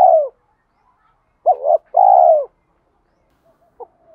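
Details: Spotted dove coo played to goad a rival into cooing and fighting. Fragments only: a falling coo tail, a doubled note, then one long rough coo, followed by quiet with faint soft notes.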